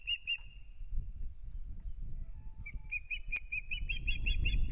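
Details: Ospreys, a pair at the start of their breeding season on a nest in Kurzeme, Latvia, 9 April 2022, give two high piping notes, then an accelerating string of shrill whistled yelps over gusty low rumble.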